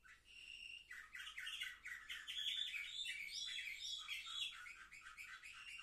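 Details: Canaries seven months old, recorded on 10 November 2023. A sustained whistle leads into a rapid, warbling trill that runs steadily. The song ends with another long held note.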